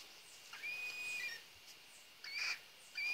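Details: Cockatiel chicks from a pet breeding pair in a nest: thin, steady high whistles held for up to a second, mixed with breathy hissing bursts, in a quiet indoor setting.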